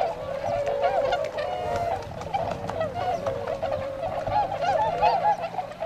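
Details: Tundra swans at a retention pond in Azumino, Japan, in February, setting out to forage in rice fields; a continuous babble of mellow, nasal honks from many birds, with a faint low drone.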